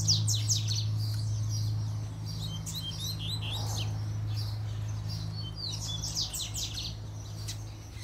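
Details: Double-collared seedeater song: rapid bursts of high, sharp, descending chirps and trills, phrases repeated with short gaps, over a steady low hum throughout.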